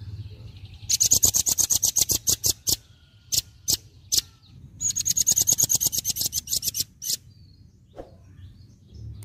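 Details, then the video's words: Nuthatch song used as a training recording for cage birds: two bursts of rapid, evenly repeated high piping notes, about two seconds each, with a few scattered single notes between and after them over a low background hum. "Masteran Burung Rambatan Agat Tetap Gacor"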